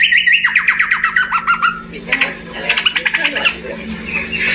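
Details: Papuan endemic cucak pantai delivering a fast descending series of clipped notes, then harsh squawky chatter in two rapid bursts, with a low steady hum in the background.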